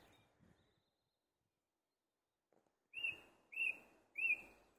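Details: Song thrush singing at the top of a tree: after quiet, three identical clear whistled notes repeated about every 0.6 seconds, each bright and slightly ringing, with little other background sound.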